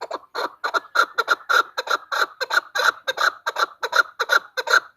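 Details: Female chukar voice used as a hunting lure: a steady run of clucking chuck notes, about two to three per second, harsh and rhythmic, with no other sounds.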